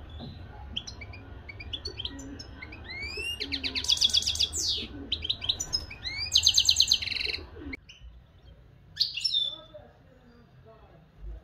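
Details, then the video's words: A local European goldfinch from Morocco sings in bursts: thin rising whistles and twitters build into loud buzzy trilled phrases, then a pause and a final short twittering flourish, over a quiet low hum. "مقنين حسون بلدي"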